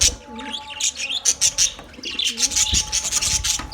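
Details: Chirping from budgerigars kept as a colony: quick clicky high chirps in rapid runs, interspersed with soft lower warbled notes, over a constant faint hum.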